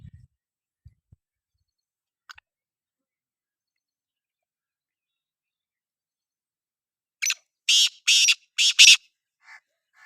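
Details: Near silence with a few faint clicks, then a black francolin bursts into a rasping call of five grating notes, the last ones loudest, ending with a softer note.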